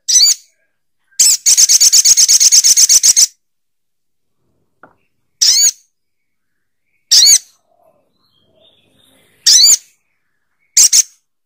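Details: Little spiderhunter: a sharp note, a two-second rapid string of very high chips, then four more single squeaky notes spaced about two seconds apart.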